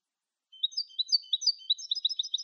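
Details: European goldfinch singing in the clean Malagueño style, used to teach captive goldfinches: a lively, continuous twitter of bright, rising and falling high notes, becoming quicker and more clipped toward the end.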